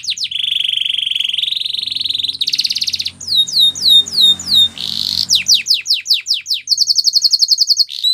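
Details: Canary singing a training song in Spanish Timbrado style: a long buzzy trill, then rapid repeated downward-sweeping whistled notes and fast bright rolls, high-pitched and continuous.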